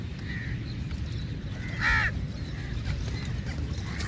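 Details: One loud, harsh caw from a crow as the birds feed together, set against constant low background rumble, with fainter distant calls before and after.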